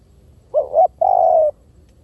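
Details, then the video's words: A single spotted dove phrase, used for luring: a soft wavering double coo, then after a brief break a sustained, smooth croo that drops slightly, clean and unhurried. "เสียงนกเขาใหญ่!! เสียงต่อ!"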